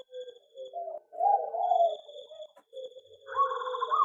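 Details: Zebra dove singing in an aviary, delivering a series of low, soft rolling coos that peak in a louder warbled phrase, with a brief silence before a final quavering run; faint high hum in the background.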